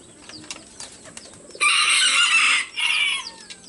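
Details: Rooster giving a loud, melodious crow while other roosters answer. A strong one-second harsh burst is followed by a shorter second phrase. Faint clicks and chirps sound before it.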